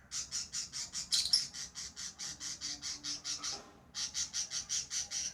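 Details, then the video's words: Tame lovebirds chattering in steady, rapid, high-pitched buzzy pulses, about four per second, briefly pausing near the end before the quick rhythmic series resumes. "Love birds Sounds | lovebirds chirping sounds| parrot beautiful sounds"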